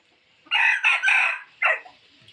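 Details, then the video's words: A rooster's decoy crow used for luring fowl out of the forest: harsh, loud three-burst crow ending in a quick lower note, then quiet hiss. "tiếng gà trống kích mồi chuẩn,suab qaib qua zoo cuab tuaj zoov heev."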